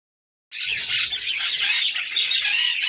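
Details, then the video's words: Female red-crowned parakeet, or New Zealand kakariki, ready to mate. After half a second of silence, dense, unbroken high chattering and squawking starts and holds at a steady loudness to the end. "какарики.самка готова к спариванию"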